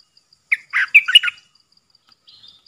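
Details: Bulbul kept caged as a decoy to draw wild birds, 13 April 2021: a loud, quick, gurgling phrase of several warbled notes, followed by a faint, thin, high call.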